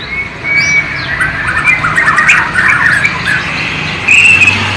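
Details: Borneo white-rumped shama in East Kalimantan singing sikatan londo flycatcher and nightingale imitations; low-resolution camera recording. Scratchy, squeaky jumbled notes and thin whistles, closing with a higher sharp whistled phrase.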